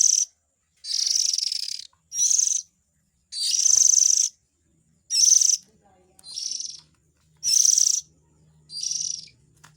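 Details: Hoarse, scratchy calls of Oriental magpie-robin chicks, meant to attract adults as a lure, come in about eight rasping bursts of varying length, separated by short gaps, with a faint low hum in the background.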